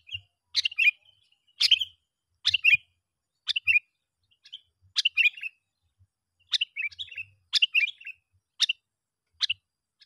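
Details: Sooty-headed bulbul lure call meant to bring other bulbuls in, a steady run of sharp clicking notes each followed by liquid, bubbly chirps, repeated about once a second throughout.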